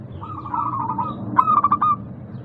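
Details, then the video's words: Local zebra dove lure song for caged doves that won't sing: a soft, wavering, drawn-out coo from one bird, followed by a louder rapid series of clipped cooing notes from another. "Pancingan Burung Perkutut Lokal ampuh untuk mengatasi malas bunyi"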